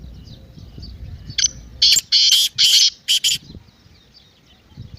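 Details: Partridge call used to get a silent partridge calling: six loud harsh rasping notes, some doubled, spread over two seconds, against faint chirping and low background rumble.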